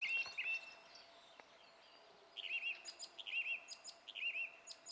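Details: A song thrush, recorded on 27 April 2016, sings clear, fluting phrases, one short warbled figure repeated three times at a steady pace, with faint background hiss.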